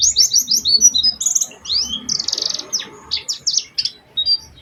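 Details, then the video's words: Oriental white-eye lure song, played to prompt other white-eyes to sing: quick series of high whistled notes, then buzzy rattling bursts and sharp slurs, fast and excited. "Pancingan Burung Pleci Gacor Cengkok Istimewa"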